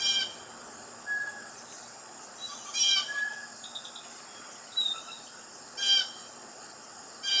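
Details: Blue jay giving four harsh, noisy calls at uneven intervals of one to three seconds, each brief and rasping, over a steady high insect drone with a few faint thin chirps between.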